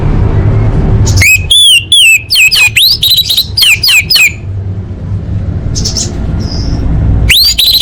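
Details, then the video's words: Female orange-headed thrush calling to males, used to lure silent birds into singing; a burst of harsh, rapid notes with downslurred whistles around three seconds long, then quiet hiss and a final sharp rising note, with low background rumble. "Suara Anis Merah Betina Gacor Untuk Memancing Burung Macet Bunyi"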